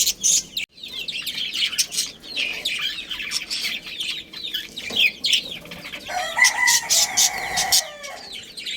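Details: Budgerigar breeding pair chattering with continuous fast warbling twitters and scratchy chirps; near the end a louder, drawn-out harmonic call from another bird cuts in briefly.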